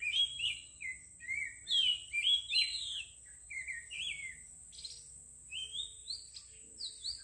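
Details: Sweet, soothing birdsong: a lively run of whistled and slurred notes, about two each second, louder early on, with thinner rising notes later over a steady high hiss.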